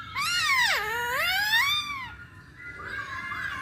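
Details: A masked laughingthrush lure recording for prompting other birds to sing: two long, loud, wailing, richly harmonic notes that swoop downward then climb, followed by a softer nasal phrase.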